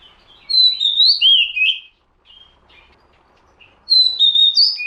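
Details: Oriental magpie-robin lure recording: bright whistled phrases of sliding, warbling notes, a loud phrase for over a second, a pause with faint notes, then another clear whistled phrase at the end.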